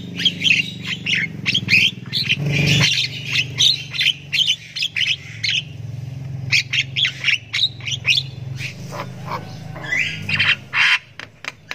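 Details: Javan myna chick in a long chirping bout while learning to sound; irregular bursts of harsh, high squawks and crisp clicks, with a low hum and a brief muffled thump near the start.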